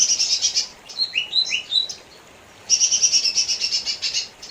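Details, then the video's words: Lesser green leafbird song, a dense high chattering trill, then a run of short rising and falling whistled notes, a brief silence, and another long buzzy trill. "Burung cucak ijo mini"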